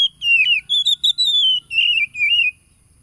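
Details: Oriental magpie-robin song used to provoke wild-caught caged birds, recorded 30 July 2022 in Tulus Rejo village, Lampung, Indonesia: loud sweet whistled phrases, falling then rising and warbling, about six segments over two and a half seconds.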